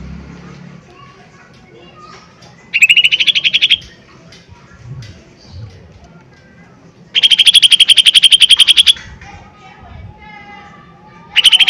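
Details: Lesser green leafbird in a lure recording of hard 'tembakan' song meant to provoke other birds into singing: two loud, dense buzzy trills of rapid pulses, each lasting one to two seconds, separated by quiet stretches with faint low chatter, another burst starting at the end.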